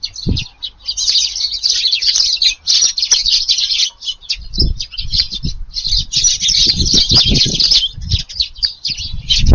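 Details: Eurasian tree sparrows, a crowded flock visiting a garden for an evening meal on 6 July, give dense overlapping high chirps that run almost without a break, with low thumps and rustling underneath.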